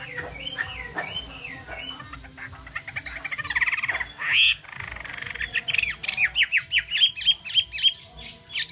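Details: Chinese hwamei song opening with looping whistled phrases, then a jumbled buzzy passage and a burst of fast, sharp, repeated up-slurred notes that grows louder toward the end. A steady low hum runs underneath.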